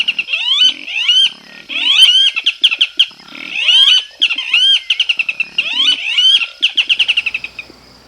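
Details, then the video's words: Barred Antshrike, an insectivorous Brazilian bird, sings bouts of rapid, nasal, chuckling notes that speed up into a rolling, laugh-like series, repeated several times with brief pauses between. "Just listen to the song of the popular Barred Antshrike."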